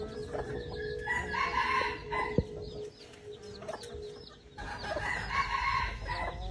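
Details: Decoy red junglefowl crowing: two harmonic crows, the first near one to two seconds and a second after four and a half seconds, separated by a quieter gap, over steady background hum and high chirping.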